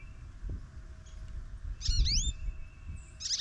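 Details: Goldfinch at a feeder on a snowy morning, talkative: two quick bursts of high, twisting slurred notes over a steady hum and low background rumble.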